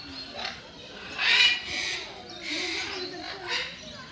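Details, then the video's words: Harsh, grating screeches from a group of military macaws kept in Mysore Zoo: loud rasping bursts, the strongest near the middle, followed by two more shorter squawks, with a man narrating softly underneath. "Noisy Military Macaws In Mysore Zoo"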